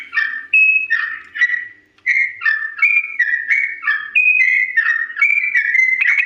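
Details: Long slow song of a sooty-headed bulbul, played so birds imitate it quickly; clear whistled notes in short paired phrases, each step slightly different in pitch, with a pause near two seconds.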